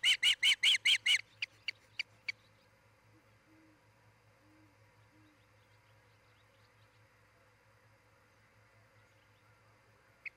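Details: Osprey on its nest in Charlo, Montana, filmed by a nest camera in July 2018: a burst of loud, rapid whistled chirps, then a few thinner scattered notes trailing into near silence and one late chirp.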